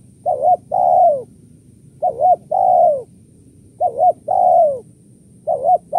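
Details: Spotted dove in the kuk 1-2 lure style, calling steadily: four phrases, each a double short coo followed by a long sliding coo, repeated roughly every one and a half seconds.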